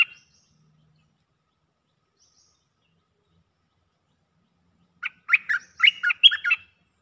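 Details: Cream-vented bulbul calling for a mate: near silence with faint high whistles, then a lively burst of rich, gurgling, chattered notes.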